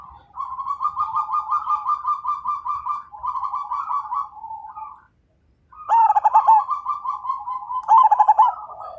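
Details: Zebra dove, a strong 'fighter' singer meant to draw other birds into song: a long even run of rapid coo notes for about five seconds, a brief silence, then two loud pulsed coo phrases.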